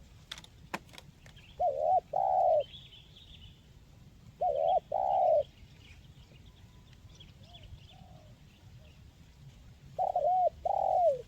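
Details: Spotted dove (tekukur, local type) coo call used as therapy to encourage quiet birds to sing: three hooting phrases a few seconds apart, each a short note, a long drawn coo and a closing note, low hum behind, clicks at start.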